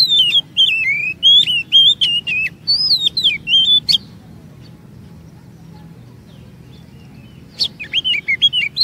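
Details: Oriental magpie-robin song used as a lure to make other magpie-robins sing long phrases and bring out stored imitations; loud whistled phrases with sliding, wavering notes and sharp clicks, a pause of several seconds, then more whistles, with low background hum.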